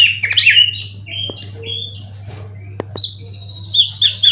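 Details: Caged competition white-rumped shama, three moults old: varied high whistled and chattering notes with a few sharp clicks, quieter phrases between them, over a low hum.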